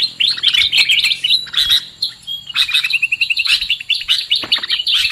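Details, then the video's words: A sooty-headed bulbul lure recording for bird trapping: dense, fast chattering chirps that dip briefly, then return as a run of rapid, evenly spaced notes and busy twittering. "Suara PIKAT Burung KUTILANG"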